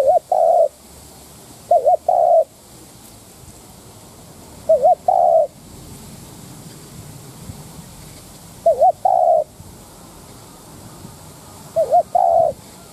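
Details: Widely spaced coo phrases from a spotted dove kept as a lure for wild doves. Four mellow double notes, wavering then steady, separated by pauses of two to three seconds.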